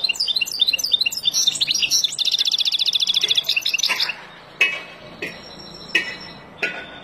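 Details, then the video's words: Wild European goldfinch song for teaching young birds: quick tinkling chirps flow into a fast, buzzy rattling trill lasting about two seconds, then several sharp isolated clicks follow in the quiet. "تغريد طائر الحسون البري لتعليم فراخ"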